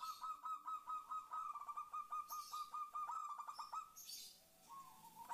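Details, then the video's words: Zebra dove, a female calling the male, used as a lure to make other doves call: a long run of rapid, evenly pulsed bubbling notes with a steady pitch, then a softer drawn-out tone. "Pancingan perkutut betina memanggil jantan"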